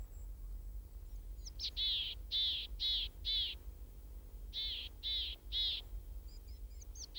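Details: A tit calls in the Alpes-Maritimes hills near Nice in early winter cold, two bursts of three or four bright, high ringing notes, about two a second, over a low rumble of wind.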